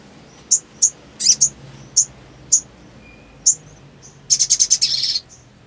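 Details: Black sunbird, a sogon, mixing scattered sharp high chips and a short double note, then ending in a fast burst of rapid high trilled notes lasting nearly a second.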